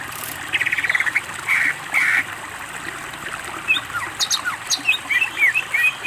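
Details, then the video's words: Greater green leafbird in full song, from a master recording for training birds: blocks of buzzy, rattling notes, then a quick run of sharp whistled notes rising and falling, some high thin ticks. "masteran cucak ijo gacor"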